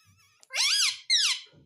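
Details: Talking pet parrot uttering two loud harmonic syllables in quick succession, the first longer and arching up then down, the second shorter and falling, in a quiet indoor room.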